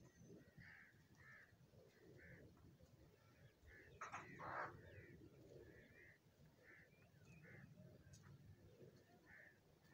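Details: Crows fighting over food while being fed: short harsh caws repeated irregularly, roughly every half second to second, with a louder burst of scuffling noise near the middle and low rumbling background noise throughout.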